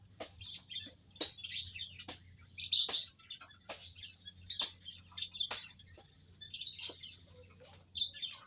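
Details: Munias kept together in an aviary on Saturday, 19 April 2025, giving a busy stream of thin high tweets and quick clicking notes, roughly two or three per second, over a faint low background drone.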